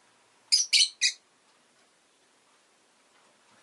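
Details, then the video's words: Rosy-faced lovebird kept as a pet gives three quick, harsh, high chirps in a tight row, followed by near silence and a final clipped chirp at the very end. "Lovebird Chirping Sounds"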